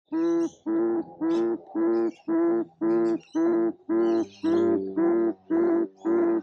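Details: A tawny frogmouth at the Australian Reptile Park gives a steady run of low, resonant oom notes, about twelve evenly spaced in six seconds, a call to attract a mate.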